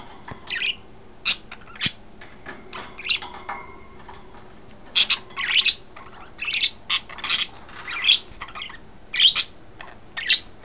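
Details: Three pet budgerigars, yellow, green and white, chatter in their new cage setup on May 26, 2012, giving bursts of high, scratchy chirps and squeaks with short pauses between flurries.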